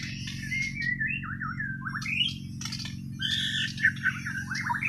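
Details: White-rumped shama from Borneo (Kalimantan), natural unmastered song: rich run of whistled, slurred and warbled phrases, some rising and falling, with short rasping notes between, over a constant low hum.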